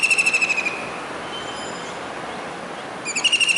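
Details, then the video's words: Kingfisher calling from a rooftop dish antenna in Surat, Gujarat, rainy July 2019. A shrill rattling trill ends, a quiet gap with faint traffic follows, then the next rapid trill begins. "Kingfisher Bird's Voice"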